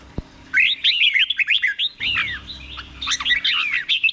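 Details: Caged red-whiskered bulbul, Thai doubled song style, played so birds can learn it: a busy stream of bubbling, looping whistles with quick down-slurs and scratchy clicks, after a single sharp tap at the start.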